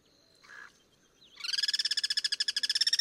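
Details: Wild Guira cuckoo cross-singing in its natural habitat: after a faint short buzzy note, a loud harsh rattle of rapid, evenly pulsed nasal notes starts and runs about three pulses per second, steady and unbroken to the end.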